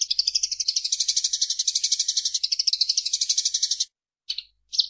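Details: Tree sparrow calling as training song for songbirds: a continuous high-pitched rattling chatter of quick, even pulses lasting nearly four seconds, ending with two short isolated chirps after a gap.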